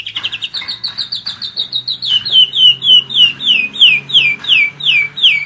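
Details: German Roller-split canary, a one-year-old pet, singing a quick series of high chirps that shift into louder, downward-sweeping whistled notes repeated about three times a second, with a faint low hum beneath.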